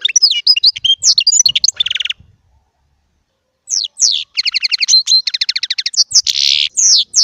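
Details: European goldfinch, a small Baster, giving chardonneret song: tumbling twitters ending in a rattling buzz, a silent gap of over a second, then rapid repeated doubled notes and a harsh buzzy burst.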